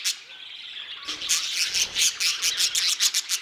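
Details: Aviary flock of budgerigars producing dense, overlapping warbled chatter punctuated by quick, bright clicks and chirps, roughly four per second, with faint low knocks in the background.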